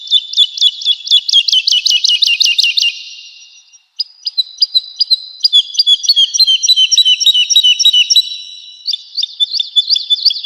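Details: Woodlark on a training recording for cage birds: a rapid series of loud repeated notes fading out, a brief silence, then a phrase of crisp notes sliding gradually downward and a new trill.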